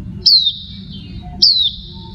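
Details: Female Oriental white-eye: two thin, high, slightly falling notes about a second apart, over a faint low hum.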